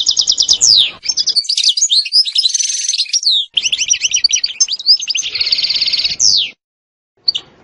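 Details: European goldfinch singing a song with the 'sitsta' and 'batbata' styles: fast high twittering runs, dry buzzy trills held for about a second, quick downward slurred notes, one brief silence near the end.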